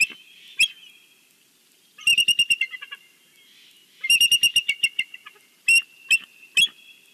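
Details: Bald eagle at its nest at Big Bear on a Sunday, calling as a greeting to the valley: high, thin piping notes in quick staccato runs of about eight, two runs plus scattered single sharp whistles, quiet between bursts.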